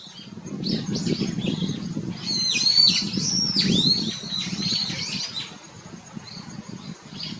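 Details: Brown-eared Bulbul giving loud, harsh squealing calls with sharp downward and upward sweeps, clustered in the middle of the recording, over low rumbling background noise and fainter chirps.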